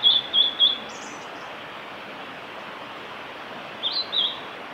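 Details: Blue-and-white flycatcher, a male, singing at Lake Miyagase on the Kanazawa forest road, Japan, 5 May 2018. It opens with three high whistled notes, falls silent for three seconds, then gives three more, over an even hiss.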